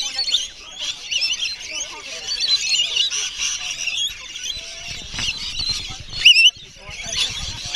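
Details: Noisy wild rainbow lorikeets crowd around people feeding them after a wildlife tour, Magnetic Island, December 2013: overlapping grating screeches, briefly thinning, then one clear upslurred squeal near the end and more chatter.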